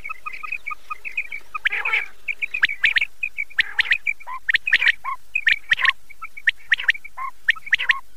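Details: Common quail (battair) calls prepared for hunters on Chand Raat. Short whistled notes near the same pitch repeat about once a second, broken by harsher, noisier bursts from overlapping calls.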